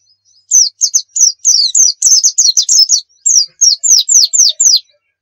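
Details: Rapid 'nembak' white-eye song for training: about sixteen loud, high, down-slurred whistled notes at a brisk uneven pace over four seconds, with a brief pause partway through.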